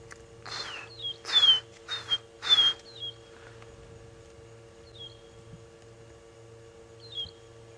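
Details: Distant magpie shrike on an afternoon safari drive in Djuma Game Reserve, South Africa, in August, giving clear, slurred whistles that drop in pitch, repeated at uneven intervals, near grazing waterbuck.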